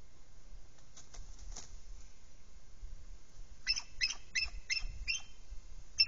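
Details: Adult female bald eagle at the nest, joined by the male, nagging: a faint stutter of high notes early, then a sharper series of about six clipped, squeaky piping notes spaced under half a second apart.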